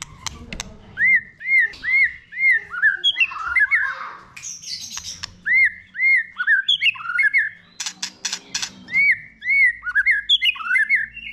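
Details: Young male white-rumped shama stimulated into heated singing, repeating clear arched whistles about twice a second, mixed with rich warbled phrases, harsh squawks and bursts of scratchy noise.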